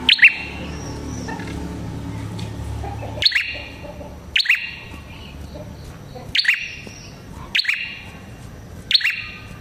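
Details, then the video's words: Red-headed prinia song used as a prinia lure: a loud chirp, a noisy low-pitched pause, then sharp chirp bursts roughly every second or so. "Suara Burung Prenjak Kepala Merah Gacor Ampuh untuk Pikat Prenjak & Pancingan Prenjak"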